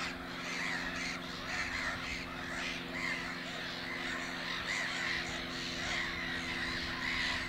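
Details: Black-headed gulls building nests at Naturum, Lake Hornborga, one resting and preening; a string of hoarse, arched squawks roughly every second above the dense clamour of the colony and a low humming tone.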